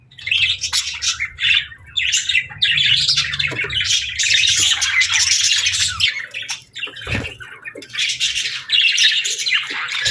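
Budgerigars chatter nonstop in bright, scratchy chirps and warbles, several birds overlapping in a dense high-pitched stream with a faint low hum beneath.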